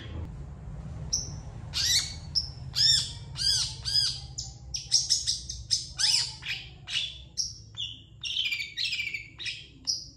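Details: Long-tailed shrike master song for training birds, mixing thin high whistles, short looping chirps and harsh squawky bursts in a busy, varied stream.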